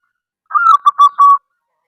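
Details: A local wild-type zebra dove (perkutut), used to lure and prompt other doves to call, gives a quick run of soft, mellow cooing notes, a slurred first phrase then three clipped coos, over quiet background.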